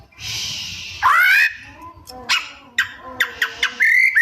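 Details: Oriental magpie-robin song rich in mimicry: a harsh raspy note, a loud rising whistle, a series of quick ticking clicks and a closing bright whistle.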